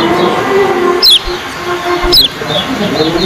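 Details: Kecial kuning, yellow-bellied prinia, competing in a contest: two piercing, high chirps dropping sharply in pitch, about a second apart, over a steady hum and distant talk.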